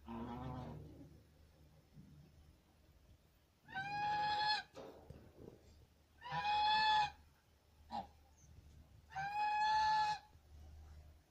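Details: Geese kept on a farm honk repeatedly: three long, loud, nasal honks about every two to three seconds, with a brief short note between them and low mechanical hum underneath.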